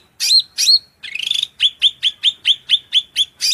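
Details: Cucak rante, a cage-bird master recording, in shrill song: two ringing whistled slurs, a buzzy trill, then a fast even series of sharp piercing notes about four per second.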